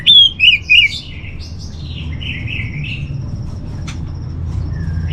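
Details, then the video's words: Orange-headed thrush master song used to settle a kept thrush's mood and breeding condition at home: three loud, sharp whistled notes open, then softer drawn-out warbling phrases over a steady low hum. "Menstabilkan Burung ANIS MERAH Dirumah Baik EMOSI & Birahi dengan Mendengarkan Kicauan Masteran ini"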